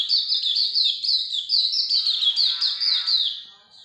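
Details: Hume's white-eye in lively 'ngalas' song: a steady stream of bright, thin, falling chirps in quick succession, tapering off quietly at the end.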